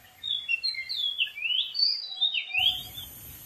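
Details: Energetic song of a wild Oriental magpie-robin atop a dead tree: rapid, continuous run of clear sliding whistles, rising and falling, mixed with sharper chattering notes.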